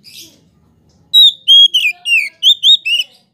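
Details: Oriental magpie-robin, poci type, singing as a lure to excite other magpie-robins: after a faint rustle, seven loud whistled notes follow in quick succession, some rising and some falling, each clear and ringing.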